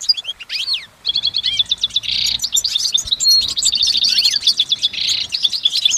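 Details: Wild goldfinch in lengthy song: looping high slurred whistles, then quick twittering runs with rasping buzzy bursts and a clear pure note, flowing on without interruption.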